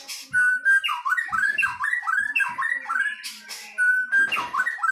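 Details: Singing duel of white-rumped shamas, a Medan bird against a forest bird from Nias; a string of loud, repeated rising-and-falling whistled notes in quick succession, broken by short scratchy bursts and a few pure whistles.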